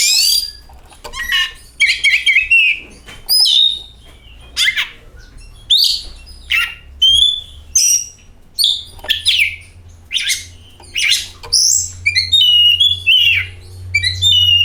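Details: Oriental magpie-robin singing as a lure to prompt other magpie-robins to sing: a dense run of varied sweet whistles, rising and falling slurs and rapid trills, interspersed with short harsh notes, phrases about every second.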